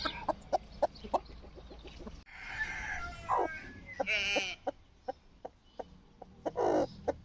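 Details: Rooster gives a short, strained crow amid a run of sharp clucks and clicks, a second rough call following, then more scattered clucking.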